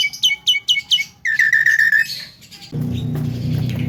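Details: Javan myna known for talking, used to provoke rival mynas: five quick descending chirps, then a steady buzzy whistled note repeated in pulses, fading before a burst of low rumbling noise takes over.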